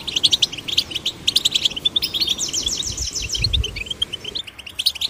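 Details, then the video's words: Male and female young goldfinches twitter fast and continuously, bright tinkling chirps and buzzy trills running high and dense with several birds overlapping, played to stimulate goldfinch chicks to sing. "goldfinch chicks to sing birds chirping"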